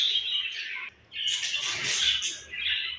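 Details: Home-bred budgerigar baby chirping in dense, high twittering bursts, falling briefly silent near the one-second mark, then resuming with brighter, sharper chirps until the end.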